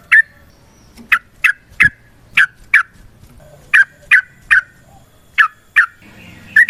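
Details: Yellow-vented bulbul fighting song used as a lure for other birds: separate sharp, emphatic slurred notes spaced roughly every third of a second, with light background noise.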